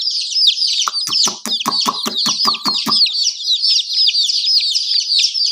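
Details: Baby chickens keep up dense, high peeping throughout. In the middle, a run of quick, sharp clucks, roughly eight in a row, cuts across the chirping before fading out.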